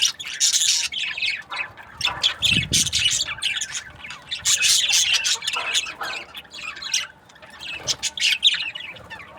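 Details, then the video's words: Breeding pairs of budgerigars chattering together: rapid, harsh high-pitched chirps and squawks in irregular bursts, rising and falling in loudness, with one short low thump partway through. "Budgies parrot chirping sounds | breeding pairs"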